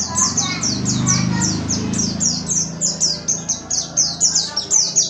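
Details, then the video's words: Oriental white-eye song used as a lure to draw other birds into singing: fast, continuous high whistled notes, each sliding downward, repeated several times a second, with a low rumbling murmur under the first two seconds. "PANCINGAN BURUNG PLECI GACOR"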